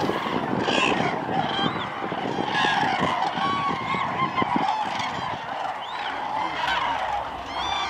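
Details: Large gathering of common cranes at Lake Hornborga giving rapid, overlapping trumpeting calls in an irregular stream, with scattered clicks and low rumbling in the background.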